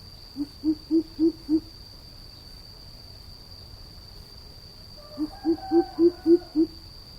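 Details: Greater coucal calling in two bursts of deep, resonant hoots, each a run of five or six quick evenly spaced notes slightly rising in pitch, with a constant thin high whine in the background.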